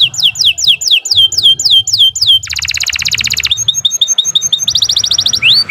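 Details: Canary in long, continuous song, meant as a master for training birds: a run of repeated downward-swept whistles, then a dense fast trill, a row of short chirps, another rapid trill and a rising whistle, with a faint low hum beneath.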